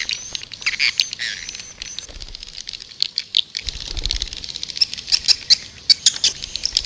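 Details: White-nest swiftlet lure call used to attract swiftlets: dense high chirps and twittering trills, with sharp clicks and bursts of noise, growing busier and louder in the second half.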